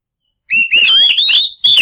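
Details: Lure recording of a white-rumped shama singing to draw out birds that have stopped singing: a rising whistle flowing into fast, liquid warbled notes, then a fresh phrase starting right at the end.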